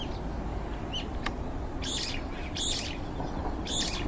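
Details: A Brown-eared bulbul of the Hokkaido form in a garden, with about five others waiting their turn to feed, gives three harsh, screechy bursts about a second apart, with a few thin chirps between, over steady low rumbling wind noise.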